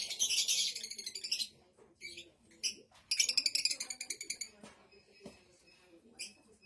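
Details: Blue Fischer's lovebird singing and chirping: a dense, harsh, rapid chatter for about a second and a half, then scattered short squeaky chirps, a second loud stuttering burst, and a few fainter notes to the end.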